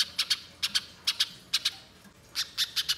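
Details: Spiderhunter lure sound: sharp, high chip notes given mostly in pairs at short intervals, ending in a slightly faster cluster, with a quiet background.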